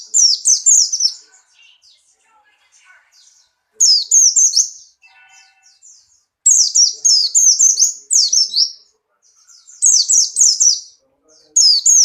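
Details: White-eye, Buxtoni type, in full breeding condition and hopping energetically, repeatedly firing short volleys of four to six shrill descending whistles, each volley about a second long with pauses of roughly two seconds between.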